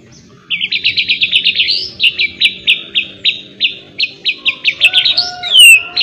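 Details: White-rumped shama being trained with a miwah song filling. It gives rapid, rhythmic series of sharp, high chipping notes, about three per second, rising into a long, slurred whistle at the end.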